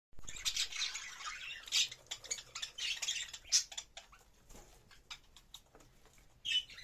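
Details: Budgerigar during mating, giving a continuous high, scratchy warbling chatter with clicks and rattles, rising and falling in loudness, with a sharp squeak near the end.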